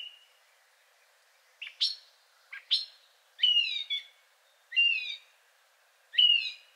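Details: Richer song of a third male Song Thrush, some sounds reminiscent of a nightingale: paired sharp chirps, then three separated phrases of a downslurred whistle with buzzy overtones, each repeated after a pause of over a second.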